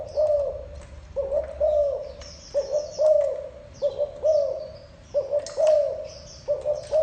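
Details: Spotted dove cooing: low, soft, mellow coo phrases of two to three notes, repeated roughly every 1.3 seconds, with faint high thin chirps from other birds above and a low background rumble.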